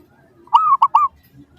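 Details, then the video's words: Zebra dove song used as a lure to make other doves answer: one clear phrase of three soft, mellow coos, a longer rising-falling note, a short clipped one, then a slurred upward note, in a quiet setting. "PANCINGAN Burung Perkutut Suara Paling Ampuh! Bikin Langsung Cepat Di Respons Pasti! Nyaut"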